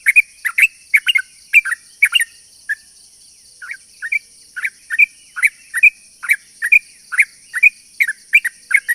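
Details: Lure song of a yellow-vented bulbul, meant to call in other bulbuls: quick liquid chirps in bursts, a brief lull near the middle, then dense chattering again, with a constant thin high hum behind.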